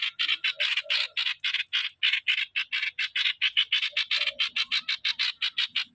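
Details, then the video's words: Caged decoy streak-eared bulbul singing a steady so-style series of rough, buzzy notes, roughly four per second, with occasional soft lower notes and little other noise. "เสียซอ เสียงนกต่อ นกปรอทสวน"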